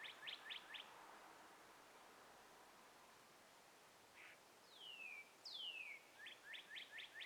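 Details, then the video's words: Birds in trees at sunrise, light breeze: a brief burst of rapid chirps, a pause, a lone chirp, two descending whistled slurs, then another quick chirp series. "birds chirping"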